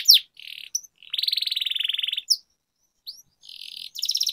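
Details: Canary singing for training: a brief descending whistle, soft buzzy phrases, and a loud, evenly pulsed rolling trill about a second long, then quieter trills.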